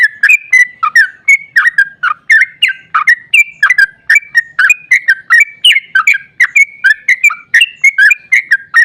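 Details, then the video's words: Sooty-headed bulbul (trucukan) pouring out a long rolling song meant to provoke other bulbuls: nonstop run of loud bubbling whistles, several per second, varied and ringing, on a clean background. "Trucukan GACOR ROPEL PANJANG EMOSI buat pancingan trucuk agar cepat bunyi JADIKAN burung NYAUT giras"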